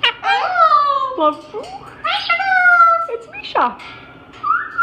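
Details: Pet parrot indoors makes cute noises on noticing a Moluccan cockatoo: long falling whistles, a squeaky rising note and a steeply dropping squeal, while a person speaks to it.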